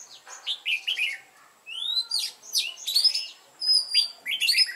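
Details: Red-whiskered bulbul lure bird with a wild mountain-forest voice, singing to provoke fighting song. Bright whistled phrases of rising and falling notes come in quick bursts, separated by a short pause near the middle.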